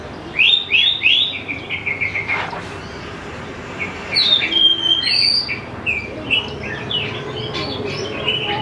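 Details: Greater green leafbird song used to draw young birds into singing. A quick descending series of whistled notes is followed by a pause, then varied sweet warbles and chirps in changing pitch.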